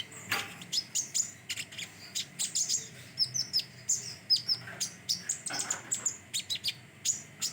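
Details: Common iora, known locally as konin, giving a rapid run of thin, high, clipped chirps and tiny whistled notes, spaced irregularly and repeated steadily throughout with little else audible.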